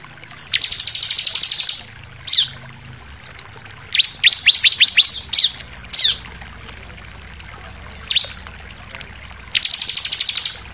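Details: Bar-winged prinia song used to provoke other birds into singing: loud, high buzzy trills of rapid repeated notes, each burst one to two seconds, with short clicking chips between, over a quiet background hum.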